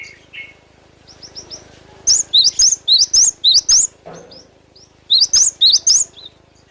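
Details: Cinereous tit in full song, a natural recording used as a lure to train cage birds; two bursts of six or seven bright, sharp, rising-falling whistled notes in quick succession, with softer thin whistles between.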